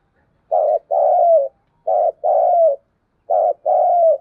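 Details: Spotted dove in thúc gù cooing at daybreak, three evenly spaced phrases, each a short husky coo followed by a longer coo that slides downward, about every one and a half seconds.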